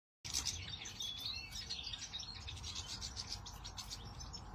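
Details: European goldfinch giving a fast, busy twittering of high chirps and short trills, dense throughout, over steady low rumbling background noise.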